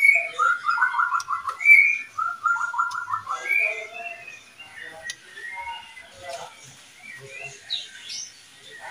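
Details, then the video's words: Murka pair, white-rumped shama with oriental magpie-robin, in a cage: two loud phrases of rapid repeated notes each led by a clear whistle, then softer scattered whistles and clicks. "pasangan murai Kacer(murka) dijamin jodoh"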